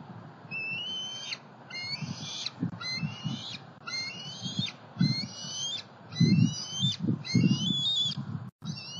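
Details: Two juvenile bald eagles in Southwest Florida on 5 July 2020, flying from their nest to a pond and then to a snag tree; high whistled squealing notes rising in pitch, about eight in a row, over steady low rumbling background noise.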